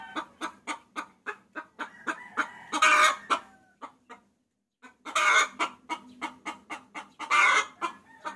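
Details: Hen lure call to draw a rooster: rhythmic clucks building into a loud cackle, a short silence, then renewed clucking with two more loud cackling bursts.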